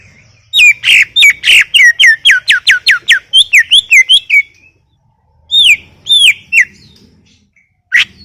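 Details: Greater green leafbird in full song: a rapid, rhythmic run of strong downward-slurred whistles about four per second, some chattering overtones, then a pause and a few more slurred notes.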